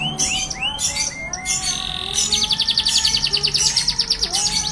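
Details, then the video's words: Canary singing in the rutgal gacor roll tembak style: sweeping high whistles give way to a rapid, even rolling trill, with steady low tonal background sounds throughout. "Kenari rutgal gacor roll tembak"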